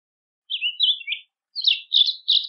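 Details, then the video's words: Rusty-collared seedeater song used for training: two short bursts of quick chirped, slurred notes separated by a brief pause, clean background. "Coleira do brejo canto para encarte"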